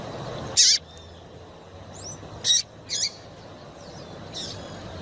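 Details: Female double-collared seedeater calling to excite a male, giving three loud, brief, high chirps, two close together near the end, with faint thin whistled notes softly in the background.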